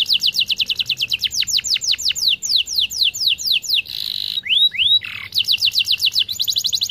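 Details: Canary song, lengthy and continuous, intended to trigger silent canaries: regular falling whistled notes about four per second, a buzzy burst, rising slurs and a harsh rasp, then a rapid trill.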